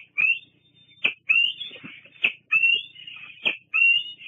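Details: Bald eagle at Fraser Point on 8 August 2022, squeeing at other eagles at the nest perch: drawn-out, high, whistled squeals, rising slightly and ending in a sharp click-like burst. About four squeals are separated by short pauses.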